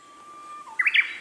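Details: Male Siberian blue robin giving a brief burst of song: a few quick, sharp chirped notes that sweep up and down, preceded by a faint steady tone.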